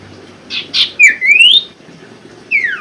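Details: Common Iora (sirtu) song, meant to stir silent caged birds into singing: a couple of short buzzy notes, then a bright upslurred whistle and a final clean downward-sweeping whistle.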